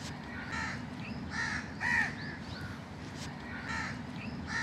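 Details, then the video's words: Several crows calling in a park, loud hoarse caws in quick sequence, some arched and some short, about one per second, with a constant low background hum. "Crow's in the Park // Crow's video and sound"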